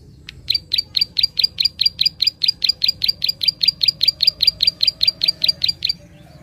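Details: Prinia giving a gacor 'klik' call for stimulating untrained birds: a clean series of about twenty-five crisp, high clicking notes at a brisk steady pace, then silence, over a low hum.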